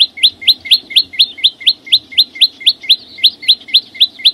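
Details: Flowerpecker singing in the wild, giving a steady series of short, high, rising notes repeated about twice per second, each with a faint thin overtone above; the background is otherwise quiet.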